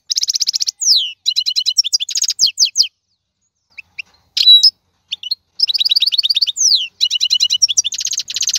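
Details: Wild goldfinch from the 2022 season in lively song: rapid metallic trills, liquid twitters and descending slurs, a brief buzzy note midway, short gaps between dense bursts.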